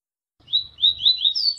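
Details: Double-collared seedeater singing the Tui Tui song style of Paraíba, delivered with pauses: a quick run of high, slurred whistled notes, each sliding downward, then climbing higher at the end, over a faint low rumble.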